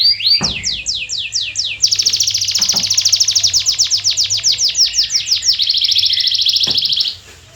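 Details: Canary song for stimulating silent canaries to sing: fast upslurred notes running into a long loud trill of rapid repeated syllables lasting about five seconds, with faint clicks.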